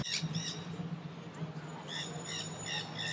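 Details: Flock of wild nanday parakeets feeding in crape myrtle trees in downtown St. Petersburg, Florida; rapid harsh screeching squawks in quick bursts, several calling together, over low steady background rumble.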